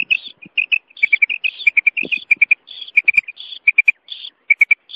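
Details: Female common quail sounding quick high triplets mixed with rasping buzzy notes, the pattern repeating throughout with brief pauses.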